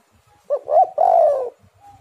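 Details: Spotted dove, used as a lure recording. A single phrase: a short clipped note, a brief coo, then a longer, soft, hollow coo that gently falls and fades.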